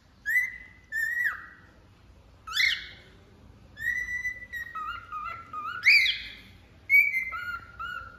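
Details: Cockatiel singing: clear whistled notes, some held steady and some sliding down or up, given in short phrases separated by brief pauses, with a few harsher upswept notes mixed in.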